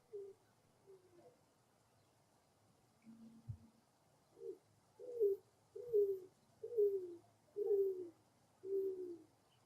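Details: Greater roadrunner (Geococcyx californianus), an urban bird, giving a faint coo call as it turns and bends over: low, dove-like coos, each slightly falling, about one per second, over a soft hum and a single thump.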